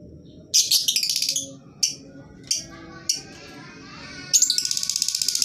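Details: Lovebird recording used as a lure to prompt quiet lovebirds to sing. Rapid rattling screech trills open and close the passage, with single sharp chirps spaced between them, all against a low background hum.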